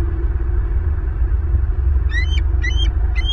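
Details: Southwest Florida bald eagles on a nest cam, mid-morning on 14 April 2023. Three high, sharp whistled notes, each rising and then stuttering, come in the second half of the clip. A heavy low rumble runs underneath throughout.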